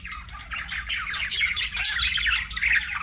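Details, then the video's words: Budgerigars chirping: a continuous dense stream of rapid, scratchy warbles and squawky chirps with short high squeaks, steady throughout, over a faint low hum. "BUDGIE CHIRPING SOUNDS"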